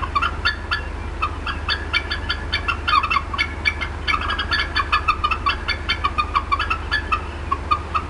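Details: Adult female bald eagle at the Decorah North nest, upset, 18 April 2016 around 4:23 PM CDT: rapid bursts of short, squeaky chirping notes with a steady low hum beneath.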